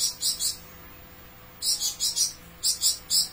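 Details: A Flamboyan bird singing actively in long bursts gives very high, thin chirps in quick bursts of two or three notes, with brief pauses between bursts, against an otherwise quiet background.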